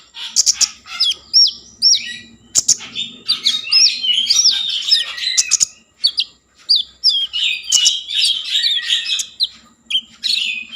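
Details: Common iora singing vigorously as a lure to awaken breeding mood and singing: dense, rapid chattering and warbled phrases with sharp high chips, broken by short pauses.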